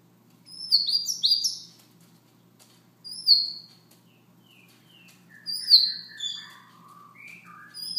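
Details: Siberian rubythroat with soft song in the morning, mixing rapid high chirps, falling whistles and lower drawn-out whistled notes in loose irregular phrases.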